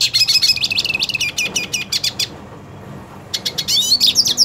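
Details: Singing purebred hooded siskin, eager to fight another hooded siskin: dense high twittering for about two seconds, a brief pause, then resumed bursts of chirps and slurred whistles.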